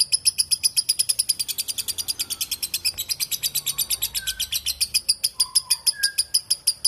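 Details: Long, clear lovebird ngekek: a fast stream of loud, high, buzzy notes about seven a second, with brief lower whistles from another bird in the background.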